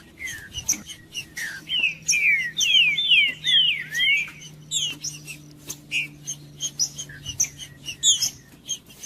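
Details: Trinca-ferro, the green-winged saltator, sings to excite and warm up other birds of its kind. A burst of rapid falling whistled slurs comes in the middle, set among scattered short sharp notes and clicks over a quiet low hum.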